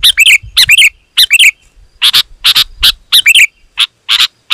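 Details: Lure recording of a sooty-headed bulbul: clustered bubbly phrases of short warbled notes interspersed with rough broadband bursts, delivered in a lively, closely packed rhythm.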